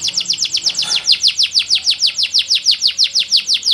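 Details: Green canary in full vigorous song: a rapid, even series of high downslurred notes, roughly three per second, each sweeping sharply from very high to lower, steady and loud throughout.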